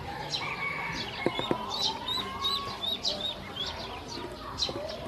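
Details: Flock of hungry baby domestic ducks led to feed and water, producing busy high falling peeps, a couple of sharp taps, and one longer rising-then-level whistle.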